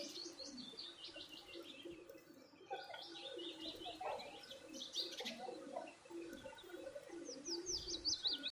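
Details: Birds eating food and chirping constantly: quick runs of sharp high chirps, a brief lull, then overlapping chatter resuming with bright rising-falling notes near the end.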